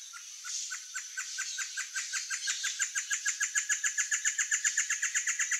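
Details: Territorial and courtship song of a great antshrike (Taraba major): a long run of clipped, hollow hoots, starting soft and slow, then quickening and swelling into a rapid, loud, evenly pulsed series, about four notes per second.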